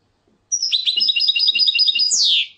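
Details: European goldfinch singing: a quick run of bright, high twittering notes lasting about a second and a half, closed by one loud downward-sliding buzzy sweep, in a quiet setting.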